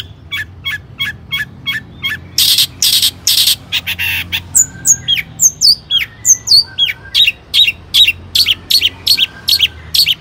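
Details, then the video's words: Long-tailed shrike performing varied song to provoke other shrikes. A steady series of short clipped notes, then broad rasping screeches, then clear high whistles sliding down, closing with rapid regular chirps. "Kicau cendet gacor AMPUH EMOSI TINGGI, pancingan CENDET AGAR BUNYI jadikan BURUNG PENTET GACOR AKTIF"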